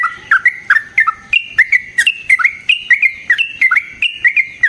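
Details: Yellow-vented bulbul in full song, used as a lure and tutor recording for other bulbuls: a varied string of clear, whistled, up-and-down notes, about three each second, loud and clean.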